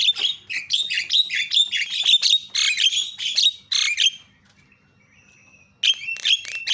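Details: Loud Javan myna calling, meant to goad silent mynas into calling: rapid, harsh, buzzy chattering notes packed closely for about four seconds, then a pause, then more grating chatter.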